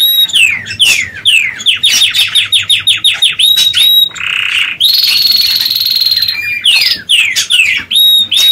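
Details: Canaries constructing and finishing their nest before egg laying; loud, varied song of rapid falling whistled notes in fast series, a broad buzzy phrase, a long high rolled trill, then more falling whistles.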